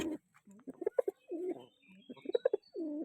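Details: A white domestic pigeon pair calling near their nest in a loft gives low, throaty coos in rolling, moaning phrases broken by short gulping notes.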